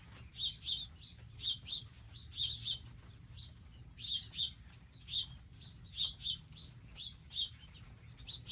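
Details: Garden birds gathering daily at feeders with seed and water; clusters of bright, sharp chirps arriving in groups every second or so, several callers overlapping, steady low hum behind.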